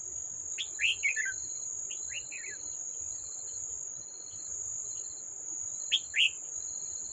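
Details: Wild red-whiskered bulbul at a decoy trap, 18 July 2024: three short bursts of slurred descending chirps spread across several seconds, nearly buried in loud, steady shrilling insects with rhythmic pulsing.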